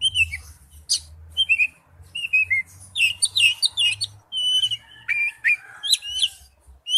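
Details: Wild-voiced song of an Oriental magpie-robin: varied clear whistled phrases, slurred up and down, with short sharp chips between them, over a faint low hum.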